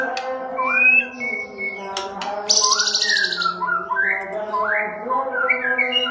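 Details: Agitated white-rumped shama song meant to goad other shamas into singing and fighting: varied whistled phrases rising and falling, a brief harsh buzz in the middle, with a constant low tonal hum beneath.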